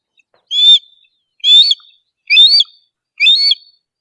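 Harris's Hawk giving four short, harsh, high calls, each rising then dipping, repeated about once a second.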